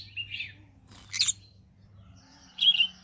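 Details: Green-cheeked conure in the morning: a brief squeaky chirp, one coarse screech, then a high warbling squeak.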